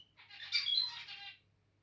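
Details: A territorial zebra finch gives a short, scratchy, buzzing song phrase with a few sharp squeaks, rising quickly and fading after about one second against a quiet background.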